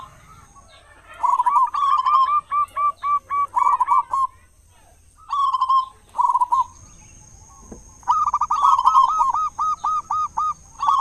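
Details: Loud local zebra dove, an actively singing bird used as a lure to get other doves singing in the morning and evening; bursts of quick, rolling mid-pitched coos, a pause, then a long rippling run near the end.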